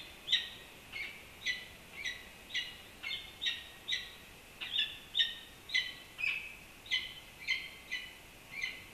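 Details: Peregrine falcon at a nest on the UC Berkeley Campanile; clipped, hoarse call notes repeated about every half second, fairly evenly spaced, with faint background hiss.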